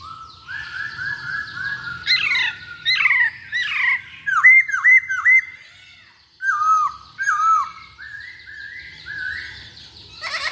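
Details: Masked laughingthrush singing as a lure for other birds: soft whistles, harsh squawky phrases, a string of sharp downslurred whistles, and quieter repeated whistled notes.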